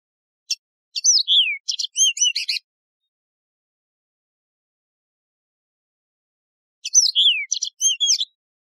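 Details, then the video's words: Two matching phrases of Yellow-fronted canary song, roughly six seconds apart, each a quick run of ticks, a falling whistle and buzzy chirps; a wild canary with a resonant voice, nothing else heard. "شريط تغريد البسبوس الموزمبيقي"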